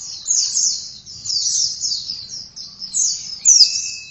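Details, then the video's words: Singing oriental white-eye, delivering a run of high, sibilant twittered notes in swelling phrases, ending with a sharp bright flourish over a thin level whistle, with faint low rumble behind. "Pleci langsung gacor dalam 1 menit"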